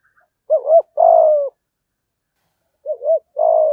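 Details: Two phrases from a decoy spotted dove's 'giọng thổ' song: a bouncing two-part coo leads into a longer level coo that tails downward, the second phrase starting about two seconds after the first ends.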